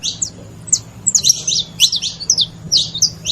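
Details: Several saffron finches make noise together: dense high, sharp chirps and short slurred notes tumble quickly over one another, with a faint low hum underneath.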